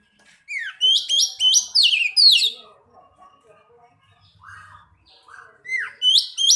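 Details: Oriental magpie-robin singing in response to another bird: a run of loud, high, downslurred whistled notes repeated quickly, a quieter spell of soft chatter and mid-pitched notes, then the same sharp whistles again.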